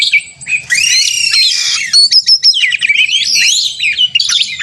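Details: Fired-up oriental magpie-robin from a simulated singing contest, meant to goad caged birds into answering: loud harsh buzzy phrases alternate with sharp clipped whistles, twisting warbles and short chirps, in fast uneven bursts.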